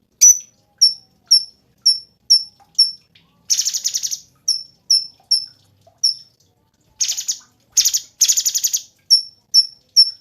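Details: Energetic Cungkok singing: a run of evenly spaced thin high chips alternating with several loud, buzzy, rapidly pulsed rattles.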